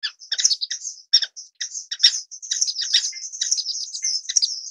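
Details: High, sibilant chirping of orange-cheeked waxbills, starting as spaced chips and building into a continuous overlapping twitter toward the end.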